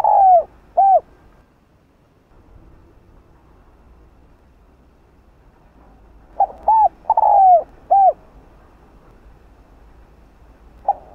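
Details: Spotted dove song in the gáy gọi style to rouse caged decoy doves: a phrase ending at the start, a long silent gap, then a full mellow four-part coo phrase, and another beginning at the end.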